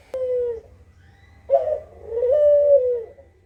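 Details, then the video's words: Kugeruk used as a lure call: one short low coo, a pause, then a rougher burst running into a long wavering hoot that steps up slightly before fading, over a soft low hum. "Suara Burung Kugeruk Cocok Buat Pancingan di Jamin Langsung Nyaut 100%"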